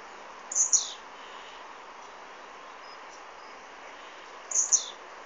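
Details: A blue-black grassquit, recorded by Android phone, repeats a thin, high buzzy phrase with a downward slur twice, roughly four seconds apart, amid continuous faint noise.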